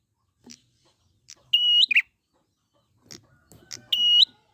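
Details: Wild prinia lure recording: two long, level whistled notes each ending in an abrupt chirp, separated by quiet stretches with faint ticks and low rustling.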